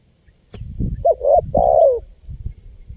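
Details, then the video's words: Lure call of a spotted dove: one mellow three-note cooing phrase ending in a drawn-out, sliding hoot over a background of low rumbling and knocking noise, with another phrase beginning at the end. "SUARA LANGKA BURUNG TEKUKUR GACOR PALING AMPUH 2024 UNTUK PIKAT BURUNG LIAR"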